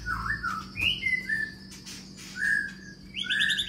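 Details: Long-tailed Medan white-rumped shama in a flight cage gives short clear whistles, some falling and some level, broken by brief pauses and finishing with a higher warbled phrase.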